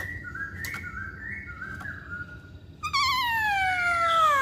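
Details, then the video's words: Chinese hwamei singing: quiet alternating whistles step up and down, then one long, loud, wavering note slides slowly downward, rich with overtones, over a soft background hum. "Burung Poksay Hongkong Gacor"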